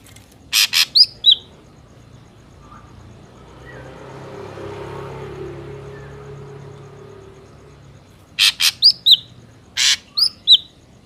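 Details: Ashy drongo, wild recording used for luring drongos into traps: clusters of harsh broadband rasps and short slurred whistles at the start and again near the end, with a long gap of passing traffic between.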